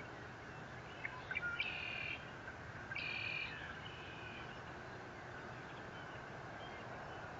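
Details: Eagle recorded by a nest camera at Fort Saint Vrain on 30 April 2021: two bursts of thin, high, squealing notes with harmonic overtones, each about half a second, over a steady mechanical hum and background noise.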